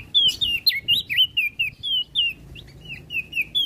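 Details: Olive-backed tailorbird singing, used as a master song for songbird training: short whistled notes sliding downward, repeated about four per second with brief gaps, over a faint low hum.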